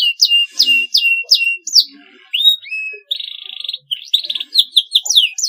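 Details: Canary giving clean, long masteran-style song of repeated sharp downward-sweeping whistles, a short buzzy trill, then a quick mix of slurred notes.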